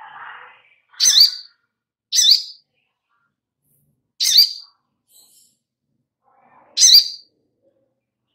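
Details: Little spiderhunter (sogon) as a lure for birds to sing: five loud, high, piercing single notes with long silent gaps, after a soft low chirp at the start.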